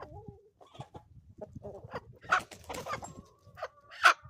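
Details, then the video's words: Chickens on a homestead in the Ozarks on a morning: scattered soft clucks and short calls, with two louder sharp notes near the middle and end, over quiet farmyard background. "relaxing sounds and chickens from the homestead"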